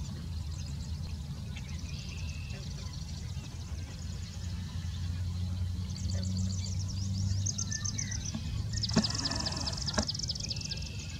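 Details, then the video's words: A yellow-headed blackbird in Wisconsin gives thin high chips and trills, then a harsh, grating buzz near the end, over a steady low rumble of wind or distant traffic. "Yellow-headed Blackbird Call"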